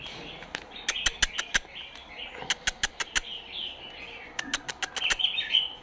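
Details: A hand-raised, tame pair of canaries in Baghdad's Husseiniya, just starting to sing but not yet in full song, gives soft warbled chirps among sharp clicking taps.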